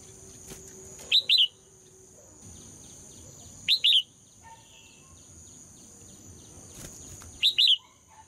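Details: Red-whiskered bulbul, female, singing to spur males to sing: a short two-note whistled phrase repeated three times, about every three seconds, with a constant high-pitched hiss behind.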